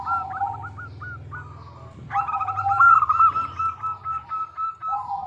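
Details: Local Indonesian zebra dove singing in a crisp, crystal-clear voice, used as a lure so other doves answer: a run of short hooked cooing notes, then a long rolling trill of rapid coos over a lower steady tone.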